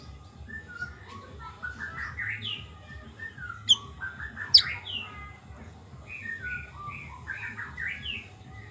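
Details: White-rumped shama song used to lure wild birds, a long flowing series of quick varied whistles and chirps rising and falling, with two sharp clicks midway and a faint steady hum.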